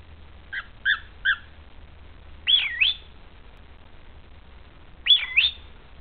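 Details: Pet bird calling indoors, recorded August 14, 2010: three short two-tone chirps, then two loud swooping whistled phrases, each a rising-falling 'pwee-o-wee' lasting about half a second, spaced a few seconds apart over low steady hum.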